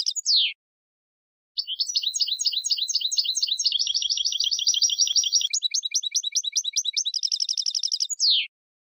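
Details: Goldfinch song: a sharp descending note, a pause, then about seven seconds of continuous rapid twittering, chattering trills and tinkling high notes, closing with another steeply falling note.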